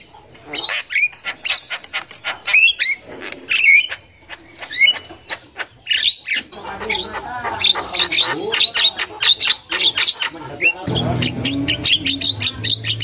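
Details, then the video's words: Chatter of a wild female Javan myna, used to coax young birds into singing: long, rapid series of clicking, squawking and whistled notes, growing busier and noisier toward the end. "Burung Jalak Kebo Super Gacor Untuk Pancingan Jalak Kebo Muda"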